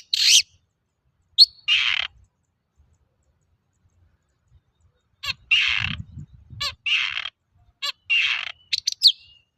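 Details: Long-tailed shrike in steady song, offered as a lure to get other shrikes singing: a few harsh, broad, buzzy bursts separated by a long silent gap, then a denser run of rasping notes and short high chips, with faint low rumble beneath.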